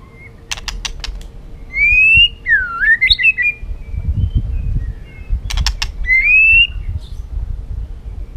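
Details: White-rumped shama in a cage, agitated and dashing on its perch, in heated competitive singing: long rising whistles and a looping, swooping phrase, set between bursts of dry rapid clicks from movement.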